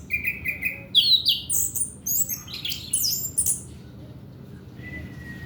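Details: Song of an orange-headed thrush, used to prompt young untrained males to sing. It opens with three steady whistles, then a fast jumble of sharp, rising and falling high notes, ending in a soft level whistle after a pause.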